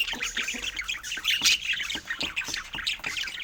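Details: Budgerigars squawk and chirp in short choppy bursts, a jumble of scratchy pet-bird notes with a louder squeal near the middle.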